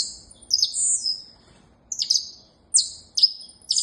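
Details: Saffron finch song of piercing, high chirps and a drawn-out buzzy note, followed after a pause by several quick downslurred notes.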